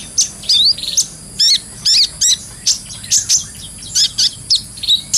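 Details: Training lure of a kolibri ninja (brown-throated sunbird) in gacor ngobra style; separate sharp, very high chips and short zigzag trills spaced roughly every half second, each bright and clean.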